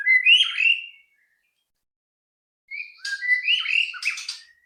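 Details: White-rumped shama song meant to trigger singing in other birds: a rich whistled phrase, a silent gap of nearly two seconds, then a busier phrase of whistles and scratchy high notes.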